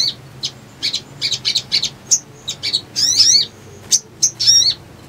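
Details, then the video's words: Little spiderhunter (sogon) played as a trapping lure: scattered sharp high chips, a few thin whistles, and two short buzzy descending trill phrases, all high-pitched against a quiet background. "PANCINGAN PALING AMPUH UNTUK BAHAN IJOAN❗PIKAT AMPUH"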